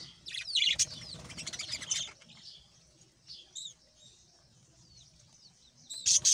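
Budgerigars warble in bursts of scratchy, high chirps and squeaky whistled notes, with a few quieter twitters between louder chattering runs and a faint flutter of wings.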